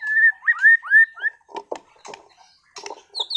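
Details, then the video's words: Caged shama from Sragen, a contest-class songbird, opens with smooth looping whistles and upslurs, then switches to lower clicking and knocking notes, ending with a high thin whistle. "MURAI BATU TEMBAKAN ISTIMEWAH gacor bongkar materi"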